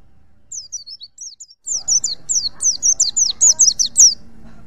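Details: Wild Pacitan pleci (white-eye), song meant for tutoring other birds: starts with soft high chirps, then breaks into a loud continuous stream of quick, thin, falling whistles.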